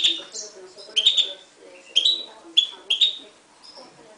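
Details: Himalayan goldfinch × timbrado canary mule from 2011 gives clipped, bright chirps in small clusters about once a second, with quiet gaps and faint low background sounds.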